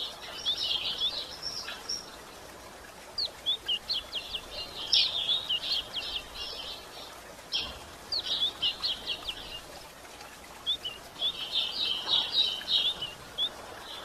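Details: Female yellow-bellied seedeater calling to excite males, giving bursts of high, sharp chirps and brief twitters separated by short pauses, with a longer rapid chattering burst near the end over a low hiss.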